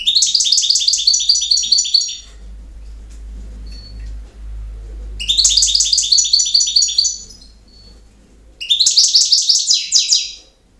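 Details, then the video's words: European goldfinch singing in the campero style: three bursts of rapid, high, tinkling twitters and trills, each about two seconds long and separated by pauses, over a faint low hum. "El Jilguero"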